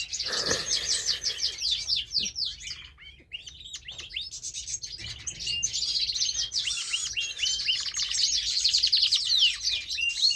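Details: A pet canary that loves to sing delivers a long, continuous high-pitched song of rapid warbling trills, chattering phrases and buzzy rolls, running almost unbroken for ten seconds with only a short dip in the middle.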